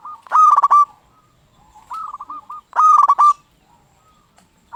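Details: Zebra dove song from a local bird, played to rouse silent doves into singing: two loud stuttering bursts, with a softer rolling coo phrase of repeated notes between them.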